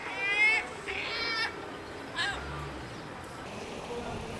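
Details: A Herring Gull (Larus argentatus) in a breeding colony, one of a pair raising chicks on the nest, gives two harsh, nasal, ringing calls in quick succession, then a fainter cry, over a steady hiss of background noise.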